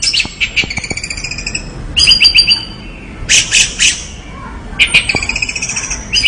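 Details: Lively song of an orange-headed thrush: clusters of high buzzy, rattling notes alternate with clear, steady whistled tones, delivered in bursts separated by brief pauses.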